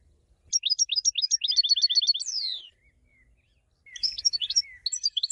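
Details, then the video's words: European goldfinch song: a rapid trill of repeated high, clipped notes speeds up and ends in a long falling buzzy slur. After a second's silence comes a jumbled run of bright twittering chirps. "ساعة من تغريد الحسون 1H de chant chardonneret / Cancion Jilguero 1H"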